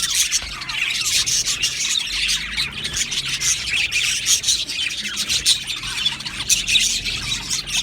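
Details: Australian budgie aviary colony chattering: a thick, unbroken mass of high chirps, warbles and scratchy squeaks from many birds together.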